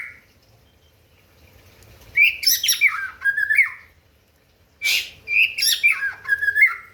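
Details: Rival-provoking song of a white-rumped shama: long varied phrases of clear whistles and rasping notes, two phrases separated by a short silence.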